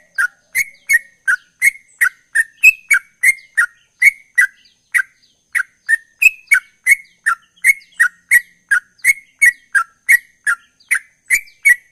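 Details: Sooty-headed bulbul in chatty ropel-style song: a steady run of short, sharp chirped notes at a middle pitch, about three per second, some slightly higher, each with a crisp clicky edge. No other sounds.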